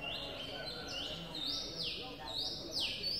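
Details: Streak-eared Bulbul nestlings, two days old, recorded 4 April 2023 in Ubon Ratchathani, Thailand. A quick run of thin, high chirps with upward and downward slurs, several overlapping, above a steady low background murmur.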